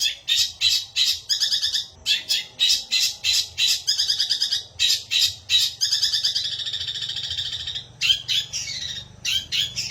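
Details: Long-tailed shrike, a caged songbird, in varied song: harsh buzzy chattering bursts repeated about three per second, with rattling trills and squeaky slurred notes, low hum in background.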